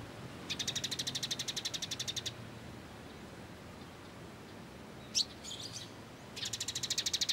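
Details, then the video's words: Sunbird sold locally as kolibri ninja, recorded as training material for songbirds: two fast, buzzy trills of evenly repeated high notes, each lasting about two seconds, separated by a sharp upward chirp and faint chatter. "MASTERAN BURUNG KOLIBRI NINJA MEWAH"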